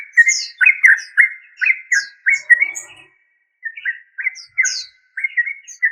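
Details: A yellow-vented bulbul, known locally as trucuk, repeats quick bubbling, slurred notes at a steady pace, pausing briefly midway before resuming the same lively pattern.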